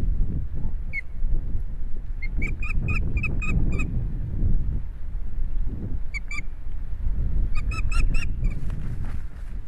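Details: Osprey at a nest in Estonia, filmed by a live nest camera on 11 July 2017 at 16:27, with a huge fish brought to soaked ospreys. Two bouts of sharp, repeated whistled chirps over a steady low rumble.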